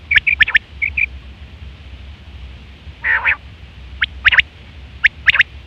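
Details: Calling female quail recorded for luring quails: a quick cluster of clicks and tiny chirps, a quiet gap, one harsh nasal squawk, then further click pairs, with steady low noise underneath.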